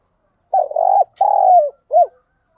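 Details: Decoy spotted dove used for luring wild doves, cooing in three parts: a wavering first note, a long level coo that slides down at the end, then a short rising-falling final coo; a faint click in between.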